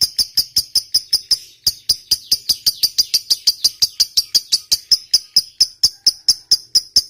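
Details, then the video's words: Long ngekek chatter of a fighter lovebird, used as a lure for silent birds: a sustained series of about 36 crisp, high chirps at a steady quick pace, with one brief pause early on. "Suara Burung Lovebird Ngekek Panjang"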